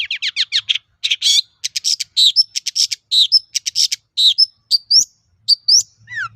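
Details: Energetic long-tailed shrike song used as a lure for other shrikes: a fast stream of varied chirps, clear upslurred whistles and scratchy notes, ending in a rapid descending trill.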